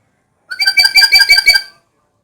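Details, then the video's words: Black-capped lory giving a quick burst of about eight harsh, ringing notes run together over roughly a second, rich and nasal with a bright upper edge, then silence. "Suara Kicau Burung Nuri Kepala Hitam Yang Merdu"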